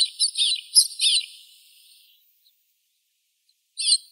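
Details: A few short, high, slightly rasping chirps from a White-winged snowfinch. They come in a quick cluster of four, then a pause and one more note.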